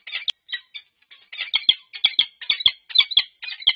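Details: During a pair-bonding bout at their UC Berkeley nest site in November 2023, peregrine falcons give loud hoarse cackling notes, starting sparse then building into a rapid run of about two grating calls per second.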